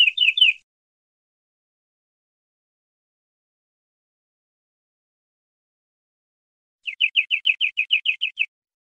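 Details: Common linnet singing: a brief burst of quick, repeated downslurred twittering notes at the start, then a long silence, and a longer run of about a dozen rapid, evenly spaced chirps near the end.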